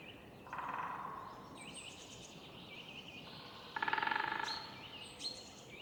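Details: Woodpeckers in a city park in the morning: a rapid, even drum roll of sharp taps lasting under a second, with a softer roll earlier, among high whistled and chirping songs of other birds.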